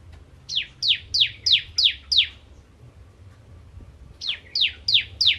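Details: Crystal bar-winged prinia (ciblek) in full 'nembak ngentrok' song: two bursts of shrill descending notes, each about three per second, separated by a pause of about two seconds, over a faint low hum.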